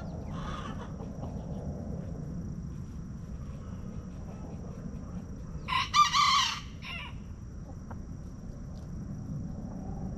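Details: Backyard rooster in a homestead chicken coop crowing: one loud, harsh, strained crow of about a second in the middle, with a short fainter call near the start, over a steady low rumble of background noise.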